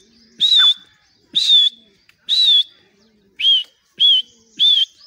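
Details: Caged grey francolin in Pakistan at the cage door. Six loud, clear whistled notes with a slight wavering shape, each about a quarter second long, repeated roughly once a second with quiet between.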